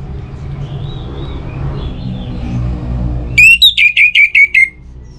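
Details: Against a background of low rumbling and faint distant birds, an orange-headed thrush bursts into a rapid series of clear, downslurred whistles repeated about every quarter second, meant to prompt other birds to sing.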